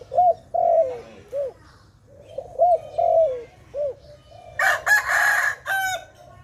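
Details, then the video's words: Dove at a trapping site giving a run of arched, rounded coos and longer falling notes in two similar phrases, ending under a loud, harsh burst of another bird's call. "Sound of dove"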